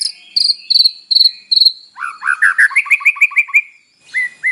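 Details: White-rumped shama kept in captivity, singing in the morning to provoke a reply: a high whistled note repeated four times, then a fast descending run of chirping whistles and two final notes.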